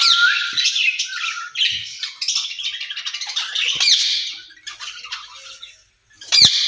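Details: Caged ringneck parrots, a pair talking to each other: continuous scratchy chatter and grating squawks, a quieter stretch, then one sharp loud squawk at the close.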